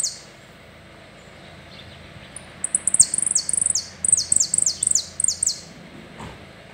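A saffron finch gives a quick run of about a dozen high, sharp chipping notes over three seconds, each dropping slightly, against a quiet background hiss.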